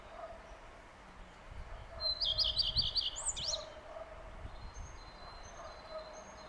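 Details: Common redstart singing one phrase: a series of quick, bright, repeated high notes ending in a twisting flourish, followed by faint thin whistles in the background.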